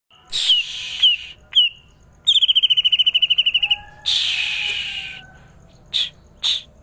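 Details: Greater green leafbird, called cucak ijo geger geden, singing a varied phrase: high whistled notes, a fast even rattle-like trill of about twenty pulses, then bright buzzy bursts and short sharp chips.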